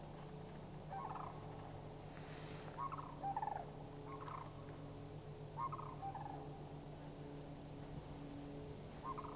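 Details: Repeated rattling bugles from three Sandhill Cranes answering cranes flying past, recorded May 1, 2011, in Anchorage, Alaska; harsh rolling notes in bursts every second or so, a steady low hum throughout.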